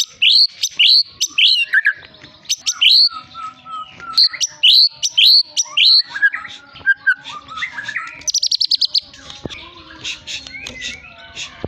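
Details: Long-tailed white-rumped shama of the Medan type, a caged champion songbird, singing a quick, varied medley of bright chirps and whistled notes, with short pauses, then a thin high buzzy trill and scattered clicks.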